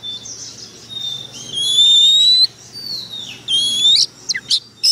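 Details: Oriental magpie-robin lure bird: soft warbling, a long rising whistle, a drooping slurred note, another bright whistle, then three sharp clipped chirps.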